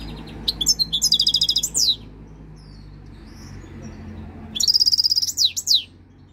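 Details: Three-year-old European goldfinch just coming into breeding condition, singing two bursts of bright, rapid twittering trills ending in rising and falling whistled slurs, separated by a pause of over two seconds; a faint low hum runs underneath.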